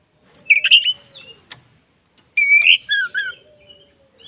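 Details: Black-breasted white-rumped shama song for training: two loud bursts of rich whistles with buzzy notes, a faint steady low tone and a click in the quiet gap between them.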